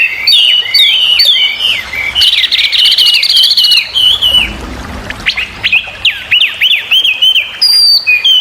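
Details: Chinese hwamei singing vigorously: clear looping whistles and fast warbled runs, repeated upward-sweeping notes in dense bursts, continuing for over eight seconds with little pause.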